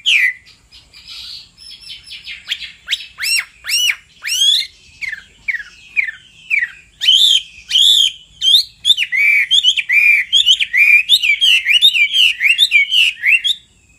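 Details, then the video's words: Male hwamei singing, roused by a female's repeated calls: sweeping slurred whistles open the song, then it speeds into a dense run of varied, ringing whistled notes with no other sounds around. "Họa mi mái xùy liên hồi kích chim trống căng lửa hót ngay"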